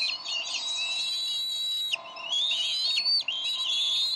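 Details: Decorah bald eagles, 30 May 2012: male and female contest a fish at the nest and the female wins; strong high piping whistles run continuously, broken by one brief pause midway.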